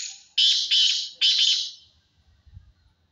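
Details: Black francolin delivering a harsh, grating call of four loud bursts packed into about one and a half seconds, ending in a fading rasp, followed by faint low rumbling.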